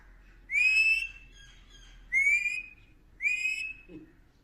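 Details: Talking Indian ringneck parakeet that copies voices, whistling indoors: three loud, clear notes, each rising then holding steady, about a second apart, with faint background hum.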